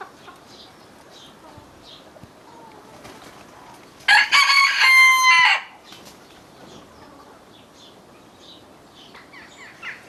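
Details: A rooster in a Normandy garden on a sunny, cold day gives one loud, harsh crow about 1.5 seconds, rising, held, fading, believed to relay a warning of rooks or jackdaws passing overhead between neighbouring flocks; faint small-bird chirps behind.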